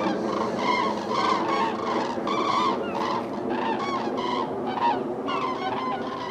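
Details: Flock of over 100 common cranes flying over Køge Harbour, Denmark, giving loud, rolling, hoarse bugling trumpet calls that overlap continuously, many birds calling at once.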